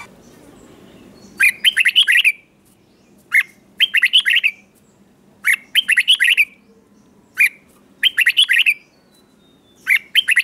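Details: Morning song training of a red-whiskered bulbul, 'chè' style. Short bursts of rapid, bright warbled notes repeat roughly every two seconds, separated by near silence, with a faint background hum.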